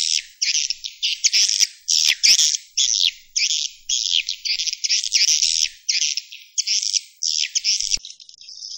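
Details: Swiftlet roosting call: rapid bursts of high, buzzy twittering chirps, each a fraction of a second long, delivered in an uneven string with short silent gaps between them.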